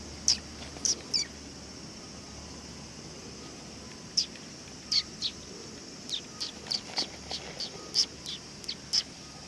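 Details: Sparrows gathering to be fed at a Tenmangu shrine, 18 August 2020: sparse high chirps at first, then a lively burst of a dozen quick chirps, with a constant high-pitched drone behind.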